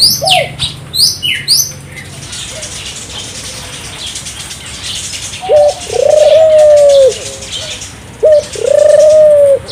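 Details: Turtle dove (burung puter) singing to stimulate local doves. High chirps and wing-like flutters come first, then two drawn-out, level coos, each led by a brief introductory note, near the end.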